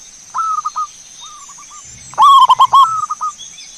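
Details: Zebra dove song used as a lure to make birds sing: short low cooing phrases of quick notes, a faint phrase, then a loud burst of rapid rolling coos, over a steady high hiss.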